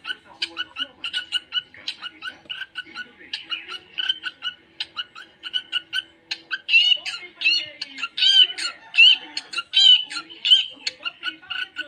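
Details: Pet budgerigar giving a continuous chattering warble of short, rapid buzzy and squeaky notes, about forty bursts a minute, growing louder and busier in the second half, with no other clear sounds.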